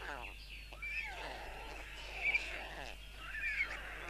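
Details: White stork nest in Tukums, Latvia, 13 June 2022, as the father feeds four chicks: harsh, wheezy, mewing notes with buzzy overtones in uneven bursts about once a second over a faint steady hiss.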